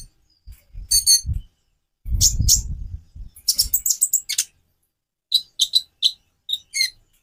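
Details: White-rumped shama song for prompting other birds to sing: scratchy high chirps and trills in uneven bursts, with low thudding and rustling noise early on, then quieter sharp notes toward the end.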